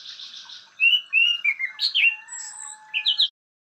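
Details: Orange-banded Thrush (Anis Cendana) song, known as sharp, melodious and varied: a quick run of sharp whistled notes, some sliding down, others rising, ending in brighter chirps over a faint steady hum.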